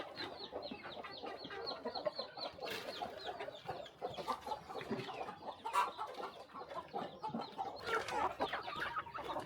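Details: Flock on a small countryside farm during a quiet morning feeding, giving busy overlapping clucks and high chirps, pulsing up and down in loudness across the clip.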